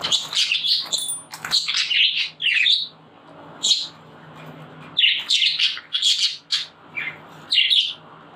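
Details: Budgerigars, including flocks kept at Pairi Daiza Zoo, Belgium, with a pet budgie, chatter in quick, scratchy warbles and high chirps, bursts coming and going every second or so; males deliver mating songs.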